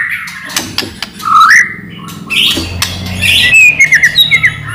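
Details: White-rumped shama lure song: scattered clicks, then clear whistled phrases, a low rising whistle followed by higher warbled notes and a closing series of short pulsed whistles.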